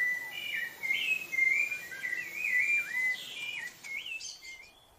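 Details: Rufous-bellied thrush of Brazil pouring out a continuous warbled song of slurred, looping whistles, phrases following one another about twice a second, with steady background hiss.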